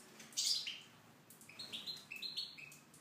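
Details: Aviary Tunisian goldfinch opening with a loud harsh note, followed by a quick series of bright chirps and twittered trills.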